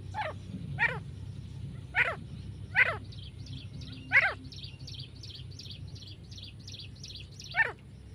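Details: Female grey francolin uttering loud, rasping, downward-sweeping calls roughly every second, with a pause in the middle filled by high, rhythmic chirping from smaller birds.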